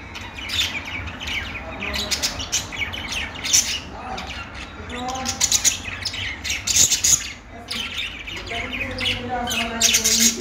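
Several budgerigars chatter and warble together in a steady, busy stream of scratchy chirps, squawks and short rising whistles.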